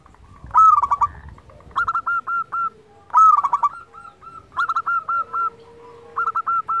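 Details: Local zebra dove in energetic song, played to get lazy doves singing: repeated phrases with a rapid trill-like cluster, then four or five short, evenly spaced whistled coos, and a faint low hum between phrases.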